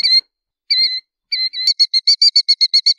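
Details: A Killdeer gives a few loud, shrill call notes, then breaks into a rapid, even trill of about a dozen quick, high notes.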